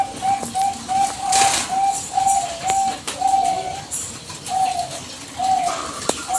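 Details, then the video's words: Lure recording of a Bangkok-type zebra dove singing without pause to draw a reply from other doves: a steady row of clear, level coo notes, some drawn out, others clipped, with faint background chirping. "PANCINGAN PERKUTUT BANGKOK GACOR BALES TERUS TANPA JEDA"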